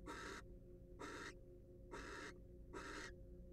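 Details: Wild barn owl in a monitored nest box: four long, breathy hissing screeches in under four seconds, each about a third of a second, separated by short pauses, with a steady low hum.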